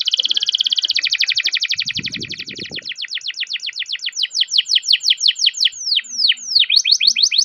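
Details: Canary rolling its song at length as a lure for other canaries: a tight fast trill loosening into spaced, sweeping downward notes, with a short low rumble midway.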